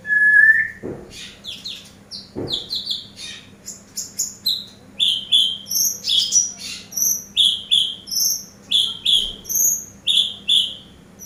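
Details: Eurasian tree sparrow used as a master bird for training: a few varied whistles open, then regularly repeated high chirps, each with a sharp higher overtone, about two per second until the end.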